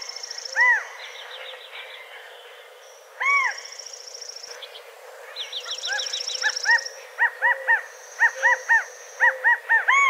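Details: California quail (Callipepla californica) calling: loud, arched mid-pitched calls, then a quicker run of short repeated notes, with high thin trills from other small birds behind.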